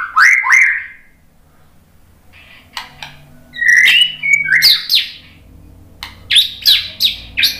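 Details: Murai batu, or white-rumped shama, singing in reply to a lure recording: quick rising whistled notes, a pause, then loud sweeping whistles and sharp chattering bursts in quick succession over a low hum.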